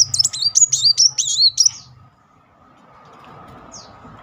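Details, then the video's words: Van Hasselt's sunbird, used as a lure to trigger other sunbirds to sing, in a rapid-fire 'nembak beruntun' style: about two seconds of fast, high, twisting whistled notes, then quiet with a steady low hum. "Kolibri Wulung nembak beruntun -- pancingan Kolibri"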